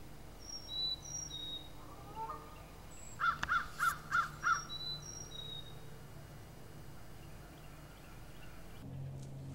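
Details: Red-headed woodpecker (Melanerpes erythrocephalus), call.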